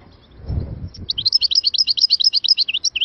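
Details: An Algerian European goldfinch from Moknine sings a rapid, liquid twittering run of bright, high notes, with a low rumbling noise at the start.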